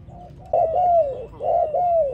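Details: Spotted dove singing for training: two loud low coos, each a short note followed by a longer, slightly falling hooted note, with a brief gap between the pairs.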